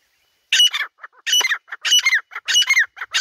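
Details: Grey francolin, known locally as dhakni teetar, calling in the jungle: loud, harsh, squawking multi-note phrases repeated roughly every half second, each a cluster of grating bursts with a ringing accent, against a quiet background.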